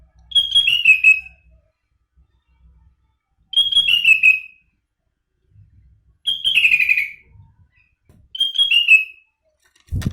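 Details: Sooty-headed bulbul (kutilang) singing its isian-style song on a live stream: four clear whistled phrases, each sliding downward, repeated about every two and a half seconds with silence between, and a faint thump at the end.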